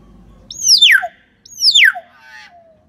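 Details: Common hill myna, played to spur a quiet bird into song: two sharp, descending whistled notes in quick succession, then a softer nasal note trailing downward; little else audible.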